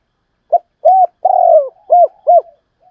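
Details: Spotted dove in the double-cooing 'hai hậu' style: a brief pickup note, a hollow coo, a longer descending drawn-out coo, then two short arched coos, clean and close with no other sounds.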